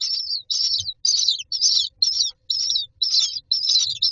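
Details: Nest-box myna chicks lined up awaiting food, calling in loud scratchy high squawks roughly twice per second, over faint low thumps.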